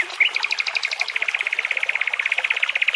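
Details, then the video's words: Nightingale singing in a forest near a babbling brook: one long, fast, even trill of clicking notes repeated about four times a second, with a brighter stuttering start. "Relaxing Sounds of Nightingales and Birds Singing Near a Babbling Brook."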